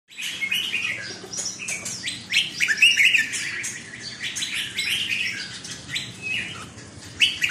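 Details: Caged red-whiskered bulbul singing a dense run of short, slurred, whistled phrases that rise and fall, with chirps overlapping almost continuously and few pauses.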